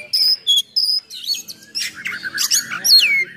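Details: Oriental magpie-robin in lively full song with rough fill-in phrases, used to provoke and train other magpie-robins: clear high whistled notes held briefly, then a dense run of harsh chattering and sweeping downslurred whistles.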